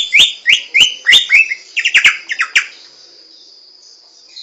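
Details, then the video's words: Wild samyong laughingthrush song: five loud downslurred whistles in quick succession, then a burst of shorter, choppier notes, after which the singing stops and only a faint high hiss continues. "SUARA BURUNG SAMYONG DI ALAM LIAR"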